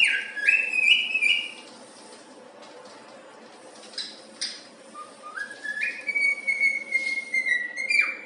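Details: Happy pet cockatiel whistling the tune of If You're Happy And You Know It indoors: clear pure whistled notes stepping up in short phrases, a pause, then long sustained level whistles that slide down at the end.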